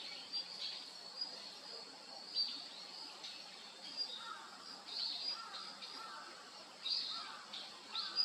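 A female Daurian redstart gives thin, high whistled calls every couple of seconds, with a few softer lower notes, over a steady high hiss.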